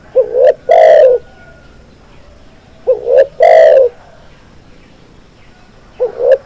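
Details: Repeated spotted dove phrases, each a brief wobbling lead-in and one drawn-out mellow coo sliding downward, spaced roughly three seconds apart.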